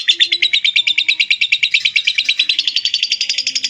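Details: Lovebird ngekek, a clear chattering song used to tutor other birds; rapid, evenly pulsed shrill notes run without a break, harsh and high, the pace quickening toward the end.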